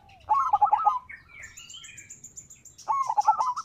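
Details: Local zebra dove's rival-provoking song: a buzzy rolling coo phrase, then a pause filled with thin high whistles from another bird, then the rolling coos return.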